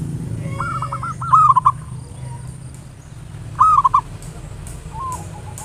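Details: Cooing song of a local zebra dove, used as a lure to spur singing; two bursts of quick low rolling notes with a separate brief coo at the end, over a steady low hum.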